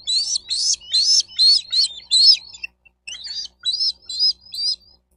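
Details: Bald eagle calling loudly at a Florida nest in Miami-Dade County, nest cam recording from 4 June 2023 near 12:35; a fast series of harsh, piping chitters, a brief pause, then several softer repeated notes.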